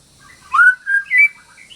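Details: White-rumped shama, training audio for a bird gone quiet: three short clear whistles, the first swooping up, the last higher and sharper, over a quiet background.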